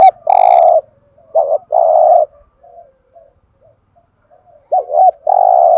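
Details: A spotted dove gives deep, rounded lure coos in short bursts, a quick double note followed by longer, even hoots, repeated in a loose rhythm in a quiet background.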